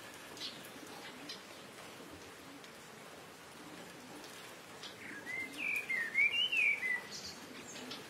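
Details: Quiet steady hiss for about five seconds, then a burst of high, squeaky twittering chirps from a streak-throated swallow (Ababeel) colony nesting in mud nests at the Rice Canal, Sukkur Barrage, Sindh, Pakistan.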